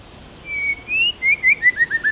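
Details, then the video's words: White-rumped shama singing a wild-style phrase: a long whistled note, then a rising slur and a run of short falling whistles quickening toward the end. "Chích chòe lửa hót giọng rừng hay"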